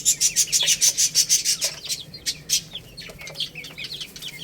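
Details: A chick eating rice gives a fast run of loud, even, high peeps, about three a second. Softer down-slurred chirps from other chicks and scattered pecking clicks follow.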